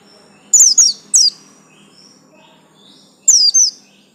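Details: High, bright downslurred chirps from a captive Bustomi white-eye with a yellow stripe: two quick phrases early, a long quiet gap, then one more pair of falling notes.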